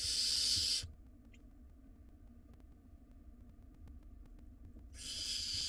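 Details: Two loud, rasping screeches from wild barn owl nestlings contesting a meal in a monitored nest box, one at the start and one near the end, separated by about four seconds of near quiet.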